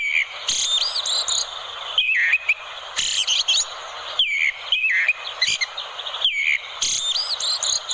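An orange-headed thrush sings a rich, fast run of varied whistles, trills and chattering notes, high-pitched and nearly continuous, with brief pauses every second or two.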